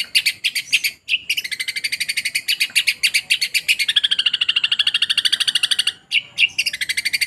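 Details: Long-tailed shrike in sparrow-mimicking song: a brief gap, then a long, steady run of fast, buzzy, chattering notes. The notes fall into even pulses, broken by short pauses, in a quiet setting.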